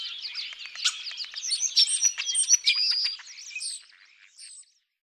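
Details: Common starling giving rapid chattering song of sharp clicks, squeaks and whistled slurs, about four notes a second, fading toward the end with a final soft phrase before silence.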